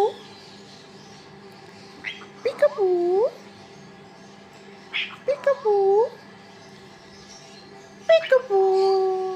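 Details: A cockatoo says "peekaboo" three times while playing peekaboo, each a sharp onset then a warbling, rising-falling voice, roughly every three seconds over a steady indoor hum; cockatoo.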